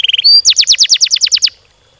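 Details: Canary singing fast, densely packed song used to prompt other canaries to sing: a quick short trill, one piercing whistle, then about a dozen loud steeply falling sweeps before silence.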